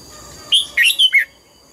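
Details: Red-whiskered bulbul, an old wild-caught bird under voice training, sings one short morning phrase in the double-note (âm kép) style: three or four rapid, slurred whistles rising and dropping within a second.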